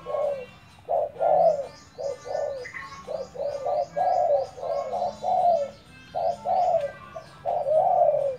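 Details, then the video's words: Trained decoy spotted dove giving a long series of deep, hoarse coos, while a high, repeated downslurred chirp from another bird runs through the middle. "Dợt cu gáy mồi"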